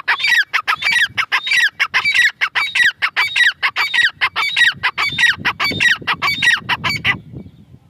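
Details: Grey francolin female giving a steady series of sharp, metallic, repeated call notes, evenly spaced and insistent for about seven seconds, then stopping abruptly, leaving low background rumble.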